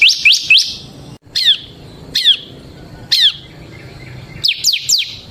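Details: Ciblek (bar-winged prinia), semi type, played as a lure and master song: scattered single high, sharply descending whistled notes with pauses, opening and closing with quick clusters of three.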